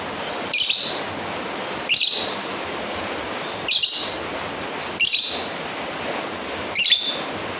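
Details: Lovebird calling a rival (manggil lawan): five short, harsh, shrill screeching chirps spaced about 1.3 seconds apart, each a brief buzzy burst, over a steady hiss-like background.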